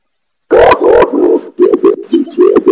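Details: Loud, clear lure call of an imperial pigeon used to draw in wild birds: a long deep hooting note, then a series of shorter low hoots.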